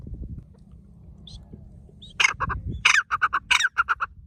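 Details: Forest partridge giving a loud call series: harsh rising notes followed by rapid evenly spaced short notes, several phrases in quick succession after a quieter start with low background rumble.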